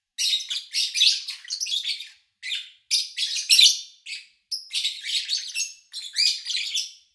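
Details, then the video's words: Caged lovebirds recorded in August 2019 with minimal background noise: dense, scratchy high chirping in runs of several notes, broken by short pauses about every second. "Sounds of Lovebird Chirping"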